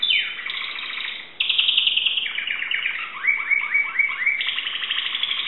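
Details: Timbrado canary from Greece singing continuous rolling trills and metallic tones, switching into a run of quick rising notes before a steady high trilled passage.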